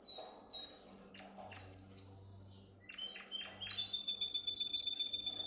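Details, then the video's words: Canary song used for training young canaries: high whistled notes and sliding tones, broken by short gaps, ending in a fast, even trill of repeated notes. Faint low hum beneath. "Most powerful song for training Canary"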